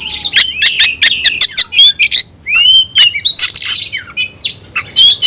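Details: Tayoraky-style song of a caged oriental magpie-robin: a rapid stuttering series of bright whistled notes, a pause, then looping slurs and a sustained high whistle.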